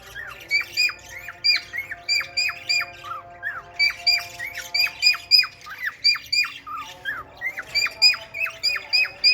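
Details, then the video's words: A male cockatiel courts a red-eyed female budgie, giving rapid bursts of short, sharp chirps that sweep downward. They repeat several times a second in runs, with brief pauses between the bursts. "male cocktail parrot love story with red eyes budgie female"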